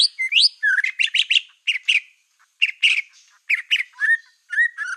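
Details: Energetic black-tailed white-rumped shama singing to provoke rival shamas: clusters of harsh, chattering chirps in short bursts, separated by brief silences, ending with whistled downslurred notes.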